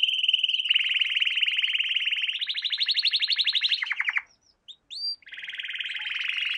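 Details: Canary singing in a lesson for young canaries, with rapid rolling trills shifting up in pitch into a buzzy pulsed tour, a short pause with a few whistled notes, then another buzzy trill.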